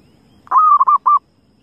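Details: A single phrase from a wild zebra dove: a long soft coo breaking into two short rounded notes at an even pitch, over a faint low murmur.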